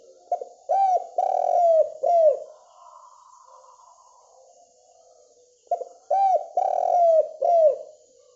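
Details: Spotted dove calling actively in the morning, a lure call to make other doves answer: two cooing phrases, each a short clipped note then three mellow, hooked coos, the longer middle coo sliding down, with a quiet pause between.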